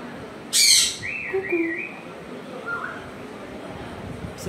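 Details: Pet African grey parrot at home, asked to say cuckoo, gives one loud harsh squawk followed by soft, wavering warbled notes and a faint short whistle.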